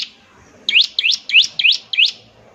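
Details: Bar-winged prinia calling during a ngebren session meant to set other prinias singing: five upswept, squeaky high notes spaced roughly a third of a second apart, with quiet background.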